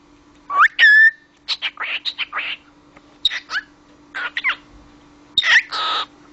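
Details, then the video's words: Cockatiel talking: clipped, speech-like syllables in quick bursts, mixed with clear rising whistles, in four groups over six seconds, with a faint steady hum behind. "konuşan papağan sultanpapağanı"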